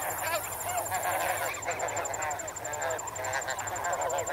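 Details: Snow geese in a flock, swimming and wading in water at medium close range, give a busy babble of overlapping throaty honks, with a regular pulsed cricket trill running high above.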